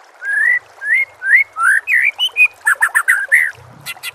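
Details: White-rumped shama master song for prompting kept birds to sing: loud, full, rising whistles spaced about half a second apart, then a quick chattering run and a faint low rumble at the end.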